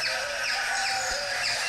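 Yellow-headed Caracara giving harsh, hoarse screeching calls that slur downward, repeated in quick succession over a steady background hiss.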